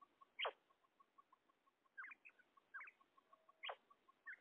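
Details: Female common quail producing a few harsh, sudden call notes and softer rising chirps, heard over a background of regular faint ticking pips.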